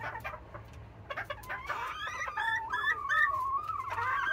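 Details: Serama chicken hens clamouring in the morning to be let out; jumbled short clucks build into a sustained, quavering whine that rises toward the end, several birds overlapping.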